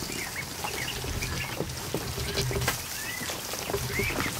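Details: Ducklings just hatched, over a hundred of them in a barn kiddie pool one afternoon, utter drawn-out rising peeps and short chirps at intervals against continuous water splashing.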